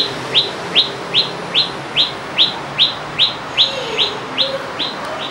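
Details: A resident Common Tailorbird in a house garden in Petaling Jaya, Selangor, on 1 July 2010, repeats a loud, sharp, high note about two or three times a second, steady and even, over a soft background hum.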